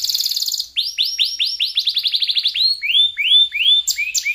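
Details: Canary singing, used to encourage lazy canaries to start singing; a rapid run of rising whistled notes repeated several times a second, slowing into longer upslurs and sharp chirps, clean with no other sounds.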